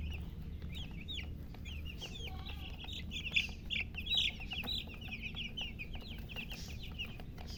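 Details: Young chicken chicks peeping in quick, bright descending notes, a continuous chorus that swells louder in short bursts midway before settling back to an even chatter over faint background hum.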